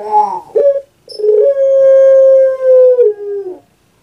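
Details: Pet puter pelung dove, a well-known Javanese breed, opening with a couple of quick gurgling notes, then a long, even, drawn-out note lasting about two seconds that slides down at the end.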